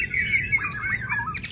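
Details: Song of a white-rumped shama, described as super long, from the wild: a brief, quick warbling phrase of twisting whistled notes, rising at the end, over low background rumble.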